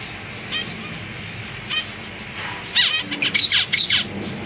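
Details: Caged zebra finch parents with newly left-the-nest babies: a couple of isolated nasal calls, then a dense rapid burst of loud harmonic calls near the end, over low mechanical hum.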